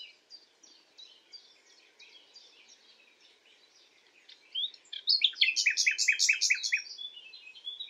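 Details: A nightingale sings at night, starting with soft, rapid chips and rising to a loud phrase of about eight strongly repeated sharp notes, then trailing off into quieter warbling.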